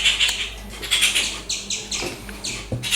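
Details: Rufous treepie calling loudly in its natural habitat, a crow-family bird of India: short harsh, raspy bursts repeated about once a second, broadband and grating, with a faint low hum behind.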